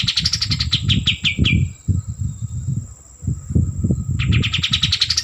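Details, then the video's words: White-eared bulbul singing energetically: a quick string of descending chirps stops after about a second and a half, then after a pause a fresh rapid series starts again, against low rumbling noise and a steady high hum. "Kapas Tembak Gacor - Suara Asli"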